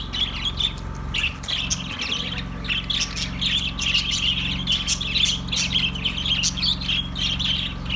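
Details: A flock of pet budgies chatters nonstop: scratchy chirps, squeaks and quick warbles packed closely together for eight seconds, low hum underneath.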